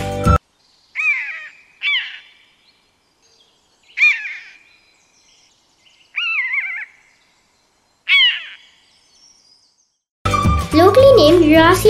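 Common Buzzard giving short, hoarse, downslurred mewing calls, about five spaced over eight seconds; music starts at the end.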